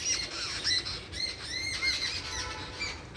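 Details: Several small birds giving squeaky, scratchy calls with short rising and falling notes, overlapping chatter throughout, over a low background rumble.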